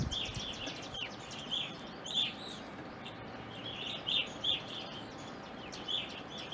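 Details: Evening grosbeaks in an Ohio backyard in winter and spring: a steady stream of clear, slightly downward chirps from several birds, with a soft hum behind.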